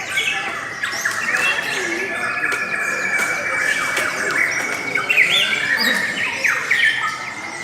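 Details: Lovebirds singing a long, beautiful stretch: a sustained thin whistled tone under flurries of quick chirps and upward-sliding squeals, growing louder near the end.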